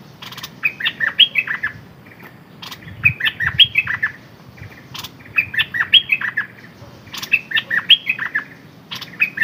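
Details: Red-whiskered bulbul kept as a decoy bird, repeating a lively warbled phrase of short bright up-and-down whistles about every two seconds, with a few sharp clicks and low thumps.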